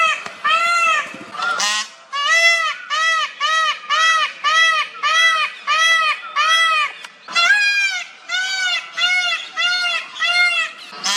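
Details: A male Indian peafowl (peacock) at Wat Chaloem Phra Kiat Worawihan temple gives a long run of loud, nasal, wailing calls in rapid succession.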